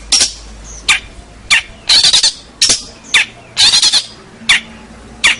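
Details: Local champion long-tailed shrike, used as a master song for training songbirds: loud, rasping, broadband bursts about every 0.6 to 0.7 seconds, some doubled into short stuttered chatters, over a quiet background.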